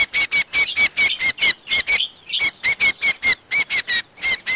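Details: Trappers' playback lure for Common Iora: a steady run of loud, raspy chat notes, roughly two to three per second, each note rich and buzzy with a brief gap near the middle of the series.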